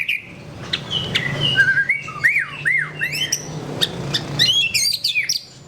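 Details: White-rumped shama (murai batu) in full song: varied loud whistles, slurred rising and falling notes and quick chirpy phrases with sharp clicks, delivered in a busy, continuous stream over a low background hum.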